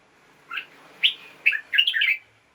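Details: Caged red-whiskered bulbul singing in the morning: four short warbled phrases, each a quick rising and falling whistled note pair, spaced about half a second apart, with a final busier burst of chirps and a quiet background.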